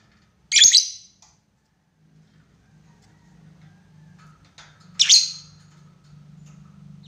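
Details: Lovebird calling a rival, a lure for long chattering. Two loud, shrill, rasping screeches about four seconds apart over a low steady hum.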